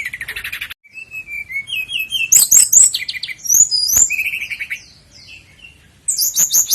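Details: Sikatan londo flycatcher singing, recorded for training caged birds: a buzzy opening burst, then varied high trills, twittering runs and clear whistled slurs delivered in fast, changing phrases, with a quiet gap before a final high twitter.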